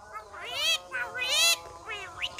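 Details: Common myna speaking like a person: a run of several harmonic, voice-like syllables, some sliding up and others falling, delivered almost continuously with brief gaps, over a faint steady hum.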